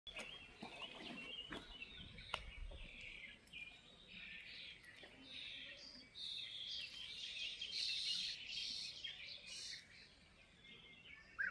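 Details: European bee-eaters at the Soča river mouth nature reserve (Izliv Soče) on 14 June 2024 give a steady stream of mellow, rolling, liquid trills, overlapping in a busy mid-pitched chatter, with faint outdoor background noise.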